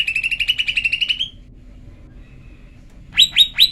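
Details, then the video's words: Female lesser green leafbird call used to provoke males to sing, a fast rattling run of about fifteen even chirps at one pitch, then three loud sharp downslurred notes after a quiet gap. "Pancingan cucak ijo betina JEBOL EMOSI"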